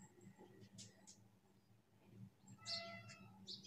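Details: Jungle babbler begging while a mother feeds her baby: a few faint scratchy squeaks, then a louder, drawn-out nasal wheeze with sharp high chirps at the end, over a low steady hum.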